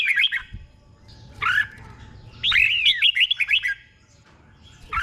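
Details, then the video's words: Red-whiskered bulbul, a caged bird used as a tutor for training other caged birds in Thailand, in doubled phrases: bright whistled notes rising and falling in quick warbling bursts, with pauses between phrases and faint low background hum. "เสียงนกกรงหัวจุก | สุดยอดนกครู เบิ้ลชัดๆ เบิ้ลเป็นคู่ๆ"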